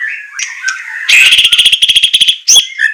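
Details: White-rumped shama song made as a training recording for captive birds, in a style called semelet with harsh shot-like notes: a soft whistled opening, then a loud rapid burst of repeated sharp notes and a final upward sweep.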